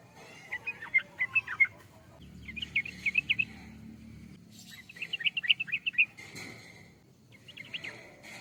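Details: Yellow-vented bulbul singing loud, clear bubbly phrases of fast rippling notes, four bursts each lasting about a second, with short silences between and a faint low hum.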